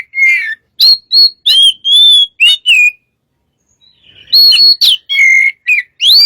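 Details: Oriental magpie-robin in lively song, recorded as a lure: sweet falling and level whistles in quick succession, a silent gap, then more loud whistled notes and sharp chirps.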